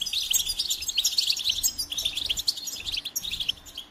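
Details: Goldfinch giving a fast, high twittering song, a dense mix of chirps, trills and buzzy notes running without a break.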